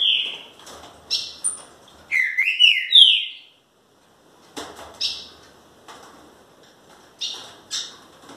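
A Green-winged Saltator gives a quick run of clear, downward-slurred whistles, then a pause and a few sharp, scratchy chips.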